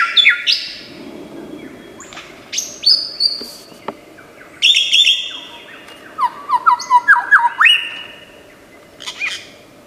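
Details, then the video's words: Australian forest lyrebird imitating other sounds: a medley of high sharp sweeps, clicks and trills, quick fluttering bursts, and descending whistled phrases repeated in quick succession, changing style every second or two over a low continuous hum. "Tembakan Lyrebird gacor 1001 macam suara"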